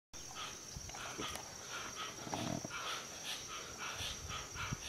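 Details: Hoatzin calling: hoarse, raspy bursts repeated about twice a second. A steady high whine runs throughout, with faint low rustling beneath.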